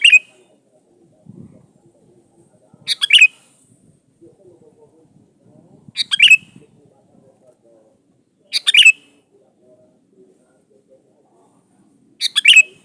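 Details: Sooty-headed bulbul singing vigorously, used as a lure to draw other birds. Short, bright, chattering phrases burst out roughly every three seconds, with faint low murmuring between them.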